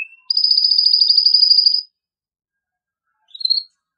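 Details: A strong song from a male canary, sung to stimulate mating: one sustained high rattling trill of very fast repeated notes lasts about 1.5 seconds, followed by silence and a short rising chirp.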